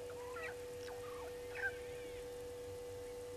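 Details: Brown-headed parrots at a nesting tree by the Gowrie dam waterhole, Djuma Game Reserve, Sabi Sand, South Africa, at 14:22 on 13 March 2022, give a few short, harsh squawks, some bending in pitch, over a steady low electrical hum.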